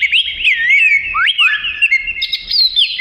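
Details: Oriental magpie-robin, melodious song for tutoring other birds: continuous clear whistling with swooping rising notes and warbled turns, steady and loud throughout.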